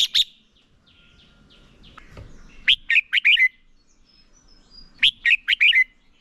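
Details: Red-whiskered bulbul decoy singing competitively to train other birds: two phrases of four or five sharp whistled notes about two seconds apart, with quiet gaps and a faint thump.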